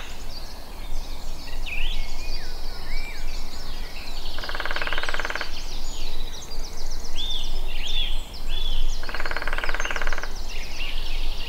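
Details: Lesser spotted woodpecker at Allerød Sø, Denmark: two quick runs of nasal, evenly spaced 'kee-kee-kee' notes, each about a second long, over a busy chorus of high songbird song and steady low rumble.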